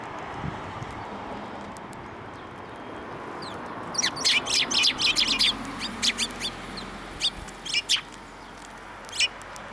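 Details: Sparrow flying to the hand for food at a Tenmangu shrine, March 2024; after four quiet seconds, bright high chirps break out in rapid clusters, thinning to scattered single notes near the end.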